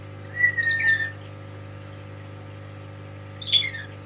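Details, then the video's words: Tame lory gives a long, slightly falling whistle, then after a pause a short harsh squawk with a whistled tail, over a low steady hum. "Kicauan Nuri"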